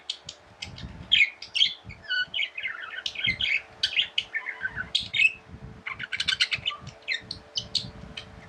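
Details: Tame budgerigars chirp and warble: quick high clicks and tweets mixed with descending squeaky phrases, fairly continuous throughout, with soft low thumps and room noise beneath.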